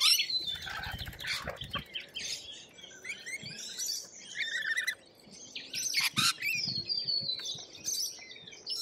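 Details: Australian lorikeet screeching in harsh, raspy squeals, with a soft flutter of wings near the start. Piercing calls at about five and six seconds stand out over lighter chatter.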